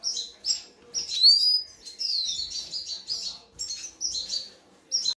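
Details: Red siskin (Carduelis cucullata) during mating, twittering in quick, high, buzzy bursts with a few sliding, falling notes between short pauses.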